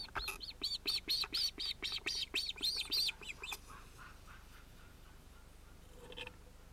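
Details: Osprey at its nest with two ringed chicks, probably males, on 31 July 2018, watched by a live nest camera as a chick interrupts the adult pair; a rapid run of about a dozen sharp, arched, high chirps over three seconds, then fainter notes.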